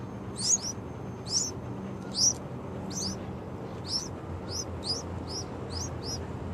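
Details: Loud calls from two baby Yellow-vented Bulbuls: a series of high, sharp, slurred squeaks, some doubled, coming faster toward the end, over low steady background hum.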